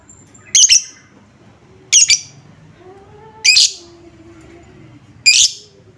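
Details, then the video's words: Lovebird lure sound meant to prompt other lovebirds to answer and sing: four loud, harsh, high chirp bursts spaced about one and a half seconds apart, with a faint low hum and soft background tones between them. "Apapun jenis Lovebird mu, pasti langsung nyaut seketika dengar suara pancingan ini"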